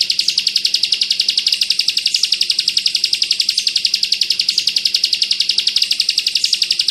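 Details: Bar-winged prinia delivering dense bren rapat rapid-fire song, meant as filler song for white-eyes: high piercing notes repeated rapidly and evenly without a break, with a faint low hum in the background.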